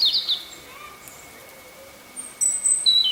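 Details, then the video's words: European robin sings in Parc Rivière, Bordeaux, France: brief, thin, high phrases of quick sliding notes, with quiet pauses between bursts, over faint outdoor background. "Alors l'oiseau que vous entendez chanter, c'est un rouge-gorge familier."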